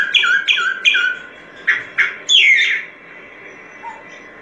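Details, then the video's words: Solitary cacique song: three evenly spaced harsh, two-toned squawks, then three louder rough notes, the last a drawn-out buzzy slur, fading into quiet. "Canto Del Boyero Negro Pico Blanco"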